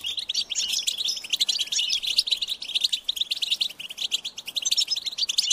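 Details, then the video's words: European goldfinch chicks calling to be fed, a high insistent begging chorus of fast overlapping chirps and twitters, dense and unbroken for over five seconds. "unique experience in stimulating goldfinch and chirping birds"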